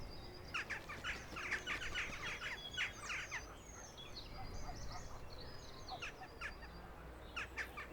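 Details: Western jackdaws squabble in a noisy group, short sharp chattering calls overlapping in bursts over a low background rumble; these quarrels are how jackdaws set their strict social hierarchy and communicate.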